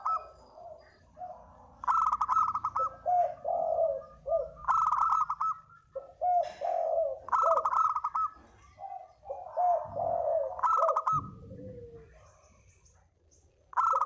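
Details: Spotted dove giving a lure call: repeated bursts of stuttering, throaty coos alternating with lower, softer coo phrases, almost continuous for over ten seconds, ending in a brief quieter gap.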